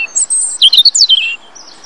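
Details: European robin singing in Rombergpark, Dortmund, Germany, on 27 March 2013: a brief high, thin phrase of fast tinkling, twittering notes that slide and waver, loud and clear against a quiet background.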